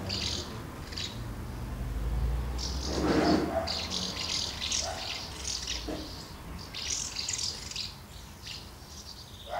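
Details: A gathering of common house martins at two nests, with young being fed, recorded on 24 August 2012. Dense, irregular twittering chirps overlap, and there is a brief rushing noise midway.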